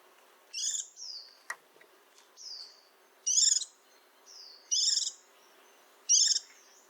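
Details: White-eye singing: short buzzy high bursts and sliding whistled notes, spaced unevenly about a second apart, with a faint click and quiet hiss between phrases.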